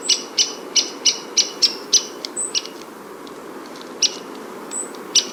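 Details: Downy Woodpecker giving its very high-pitched cheping call: sharp, thin pik notes repeated rapidly, about three per second, then a pause and scattered single notes, with a faint low background hum.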